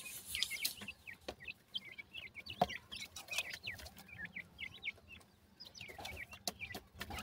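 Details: Partridge chicks, named as baby pheasant or partridge birds with a strange movement, utter soft bursts of quick high peeps in clusters, separated by pauses and occasional sharp clicks.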